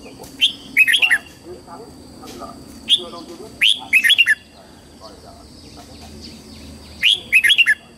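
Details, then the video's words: Red-whiskered bulbul morning song, several bright whistled bursts of rapid rising and falling notes, some single upslurs, spaced irregularly, with soft warbling and chirps from other birds behind. "Luyện giọng chào mào hót sáng hay nhất để luyện má trắng"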